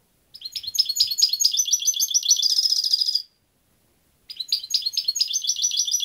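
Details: Goldfinch song: a fast, jangling run of high twittered notes for about three seconds, a short silence, then the twittering resumes.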